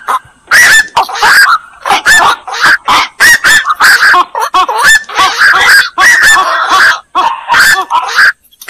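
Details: Black-crowned night heron colony-like clamour: gruff squawks and bent nasal notes repeated irregularly about every two seconds or faster, voices overlapping throughout.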